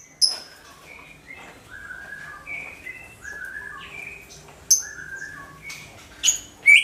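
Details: Greater green leafbird in loud, booming song used as a lure for all kinds of birds: a varied run of whistled phrases at mixed pitches, broken by sharp high notes, with a faint background murmur.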